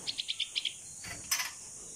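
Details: Baby bulbul (pulangga), a 16-day-old female rescued after falling from its nest and kept as a pet, calls for its mother while practising to fly in the open: six quick high chirps in a row, then a brief rustling noise.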